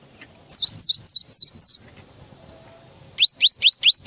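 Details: Java sparrow in full isian song, five high descending whistles, a quiet pause, then five rapid upswept whistled notes in even rhythm.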